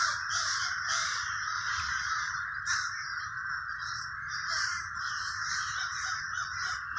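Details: Crows in the Villa Park neighborhood of Trenton, New Jersey: many harsh caws overlapping into a dense, almost continuous chorus, with louder bursts standing out every second or so over a low background rumble.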